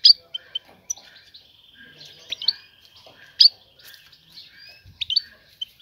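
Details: Female European goldfinch calling the male to stimulate pairing: a few sharp high chips, then a thin steady whistled tone held for about a second, followed by more scattered chirps.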